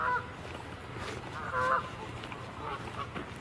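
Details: Geese close by on the water give short, nasal, harmonic honks: one at the start, a louder, longer one near the middle, and a fainter one toward the end, over a steady background hiss.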